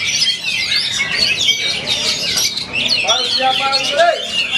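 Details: Several Oriental magpie-robins at a songbird contest pour out rich, fast, varied whistles and chatters, overlapping as a dense chorus, while a man announces over them.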